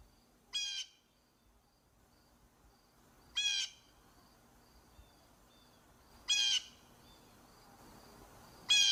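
A blue jay gives four loud, harsh, nasal jeer calls, about one every three seconds, over faint thin whistles from other birds.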